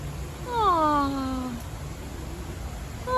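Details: Galah cockatoo in a zoo park, seeking human interaction and head scratches, giving a drawn-out falling, harmonic vocalisation that slides downward and fades over about one second, with a steady low hum behind.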